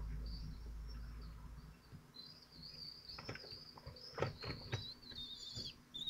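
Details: Falcon chicks, twelve days old, at a nest in Théding on 22 June 2023, several young taking turns trying to swallow a large prey item. Thin, high whistled calls, some level and some dipping, run over the second half amid rustling and low rumble.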